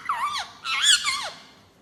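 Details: Pet talking rose-ringed (ringneck) parakeet gives two short, squeaky, speech-like phrases with wavering, rising and falling pitch, the second longer and louder.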